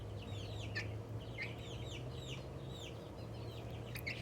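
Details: Young Australorp chicken, excited, giving happy sounds: soft high chirps slurring downward, repeated in loose runs over a steady low electrical hum.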